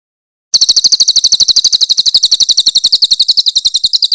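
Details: Rough trilling song of a grey-headed canary-flycatcher, meant as a tutor recording for songbirds: after a short silence, a piercing, rapidly repeated high note series runs steadily for over three seconds.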